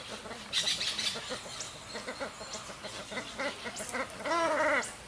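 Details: Orinoco goose at Santa Marta, Magdalena, Colombia, about 2 m above sea level, on 7 January 2018: rapid, nasal cackling notes ending in a longer arched, honking call, with thin, higher chatter from other birds mixed in.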